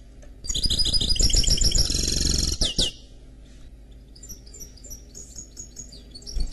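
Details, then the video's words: Canary x goldfinch mule delivers a loud rapid trilled phrase ending in two sharp downward sweeps, followed by quieter scattered high twittering notes over faint background noise. "Chant Mulet Canari X Chardonneret"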